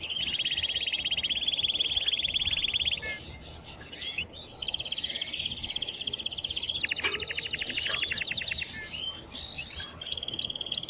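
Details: Excited male canary singing to stimulate a female to mate and for young birds to hear: long rolling trills broken by varied chirps and whistles, repeated several times over constant hiss.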